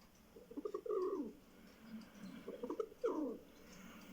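A rock pigeon gives two low, throaty, warbling coos, each about a second long and roughly two seconds apart, over a faint background hum.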